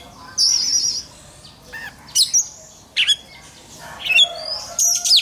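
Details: Oriental magpie-robin singing for contest training, giving scattered whistled notes, a sweeping rising whistle and short harsh squawky bursts spread across the recording against a faint background hiss.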